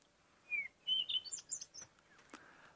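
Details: Recording of a Cape Robin-Chat's song, played from a phone: a quick run of clear, high whistled notes, a slurred falling note, then rising and falling phrases, over faint background noise.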